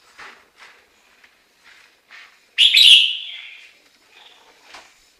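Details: Chinese hwamei song: one loud, ringing phrase bursts out mid-clip and trails off in a falling, fading tail. Soft, short chirps come before and after it.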